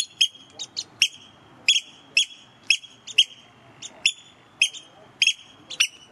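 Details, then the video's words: Eurasian oystercatchers, visiting in May or June and bold near the person filming, give loud, sharp, shrill, ringing piping calls, roughly two per second, over a faint background hiss. "Oystercatchers, very noisy and courageous birds!"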